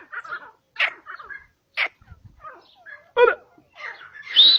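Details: Grey francolin in natural habitat in Pakistan giving harsh, squawky notes in short uneven bursts, about one every second, ending with a shrill rising note.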